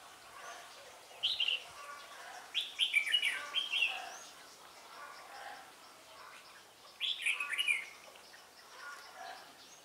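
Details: Red-whiskered bulbul decoy singing during bird trapping in Vietnam on 17 December 2016, with rapid runs of chirpy, slurred whistles in two busy bursts, a brief spoken remark and other distant birds behind.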